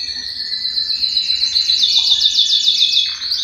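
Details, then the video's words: Loud Belgian canary song, used to stimulate males and bring females into breeding, a dense high trill of rapid, regular repeated notes with faint lower whistles beneath, tapering at the end. "Canto Para Esquentar Canário Belga e Foguear as Fêmeas"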